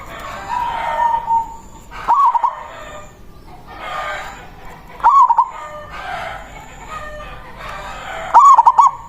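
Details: Manggung song of a loud-voiced local zebra dove, calling out to a rival and used as a lure: three bubbling phrases of rapid rolling coos roughly three seconds apart, with murmuring background sound between them.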